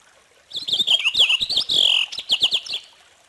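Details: Loud, clear Purple finch song: a rich, rollicking warble with a long downslurred whistle in the middle, then a run of quick rising notes at the end.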